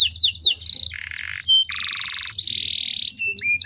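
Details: Female canary in breeding condition, kept to set other canaries singing: quick descending whistles, then alternating buzzy rattling trills at lower and higher pitch, with short sharp chips at the end.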